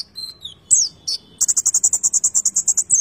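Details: Konin bird singing steadily with a rich fill-in repertoire. A descending thin whistle and a couple of slurred notes lead into a fast, even, high buzzy trill that runs to the end.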